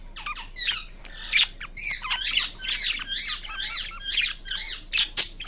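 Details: Captive Indian ringneck parrot giving a string of rolling, warbling squawks with rising and falling inflections, about two per second, ending in one sharp louder note.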